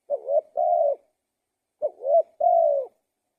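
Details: Spotted dove, called tekukur, giving two clear cooing phrases, each a short rising coo followed by a longer level coo, about 1.5 seconds apart, with no other sounds.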